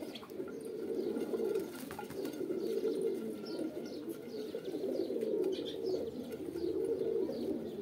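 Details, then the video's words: Pigeons coo on and on, mellow throaty phrases overlapping in waves. Light chirping from other birds is sprinkled throughout. "Kabutar | Pigeon Videos | Kabootar Ki Video Episode-4 | Birds Sounds"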